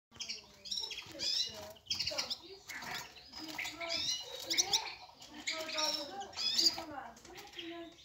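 Red-fronted serin giving a steady stream of high, bright twittering chirps and trills, packed closely together; a low murmur, possibly a voice, runs underneath.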